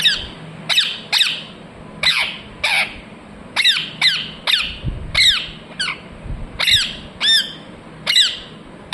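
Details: Chattering parrot, said to voice "mithu mithu": loud, rasping, descending syllables repeated steadily, roughly twelve in nine seconds, with brief low knocks in the background.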